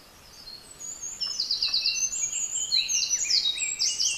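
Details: Eurasian wren singing in a deep-mountain beech forest in Japan: a loud, high, rapid run of trills and sweeping whistled notes, building in strength and rolling on without a pause.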